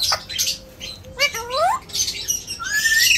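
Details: A talking Alexandrine parakeet (Psittacula eupatria) mimics human speech in short, raspy, speech-like phrases, with rising whistled sweeps between scratchy bursts.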